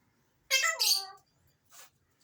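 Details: Alexandrine parakeet uttering a loud two-part rasping call with a wavering harmonic tone, followed by a softer short hiss-like note; otherwise a quiet indoor background.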